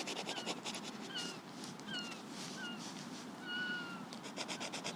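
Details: Seagulls calling along the Lizard peninsula coast in Cornwall during a sketch walk; repeated thin, drawn-out mewing cries from several birds overlapping, with soft crackling ambience and faint traffic below.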